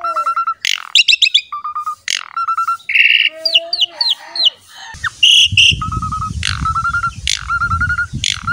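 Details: Javan pied myna song meant to draw other mynas into singing: level piping whistles, stuttered notes and rising slurs, with a low rumbling background noise in the second half.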